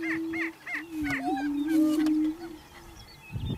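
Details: A male Greater Prairie-chicken displaying close to a blind in early morning gives a long, low, hollow moaning boom while inflating his air sacs, with quick repeated higher notes from other birds over it.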